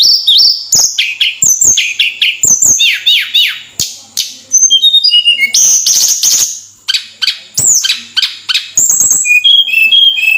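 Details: Flowerpecker in full song: rapid high thin chips, zigzag squeaky slurs and fast chattering trills, repeated in closely spaced bursts with a few brief pauses.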